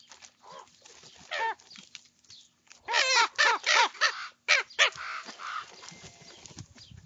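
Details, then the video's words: Several young common ravens squabbling over food at breakfast, giving a burst of hoarse, harmonic croaks and squawks, rapid and uneven, loudest in a quick run of five or six calls midway. "Sound on for breakfast noises"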